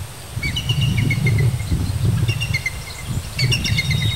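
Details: Bald eagles at a 95-ft nest in an old dead fir tree, Sidney BC, Canada, 23 June 2009, with three eaglets near fledging: thin, high, piping chitters in three quick stuttering bursts over a low rumble of wind or distant traffic.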